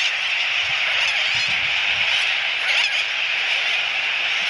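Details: Sooty tern nesting colony on Johnston Atoll National Wildlife Refuge, 16 April 2017, with terns flying in the distance: a steady, high, harsh clamour, countless overlapping calls blending into one unbroken roar.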